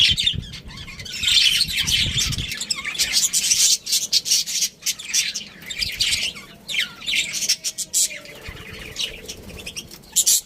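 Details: A family of budgerigars, including a breeding pair, keeps up long stretches of harsh, scratchy high-pitched chatter, with brief pauses and squawky notes between dense bursts.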